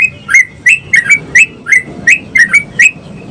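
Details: A sooty-headed bulbul sings vigorously to encourage other bulbuls to sing, giving about ten short liquid whistled notes in three seconds, some paired, bright and bubbling, with soft low background hum.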